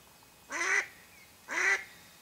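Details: Two drawn-out, rasping quacks about a second apart from a mallard hen that serves as a decoy for duck hunting, with quiet background between them.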